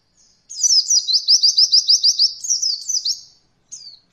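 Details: Roll voll training recording of an Oriental white-eye for beginner birds: one continuous three-second roll of rapid, evenly pulsed high chirps, then a short thin call note.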